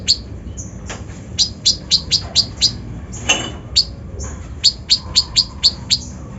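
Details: Kolibri ninja lure song with rough mimicked fill-ins, used to stir up other birds: sharp, high chirps repeated in quick runs, with short pauses between bursts.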